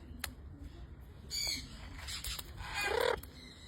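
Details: Military (green) macaw gives harsh, raspy squawks in three short bursts over about two seconds, over a low background hum.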